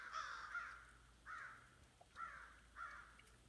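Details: American Crow cawing in flight after another crow called: harsh, nasal caws, about five in quick uneven pairs and singles over three seconds, against a faint low hum.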